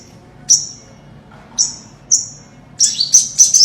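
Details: Olive-backed sunbird song for luring birds into traps: sharp, isolated high chirps at irregular gaps, ending in a quick burst of several piercing notes.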